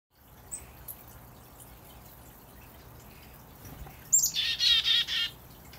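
A chickadee gives a quick run of about five harsh, buzzy 'dee' notes near the end, after a quiet stretch with faint background hiss.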